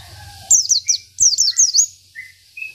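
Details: Oriental white-eye of local stock singing isian style as a tutor: two quick bursts of three high falling whistles each, followed by a few soft, thin, level notes.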